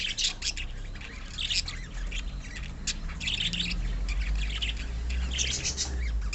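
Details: Pet budgerigars in a colony give a busy chorus of sharp, high squawks and chirps in rapid bursts, with a steady low hum underneath.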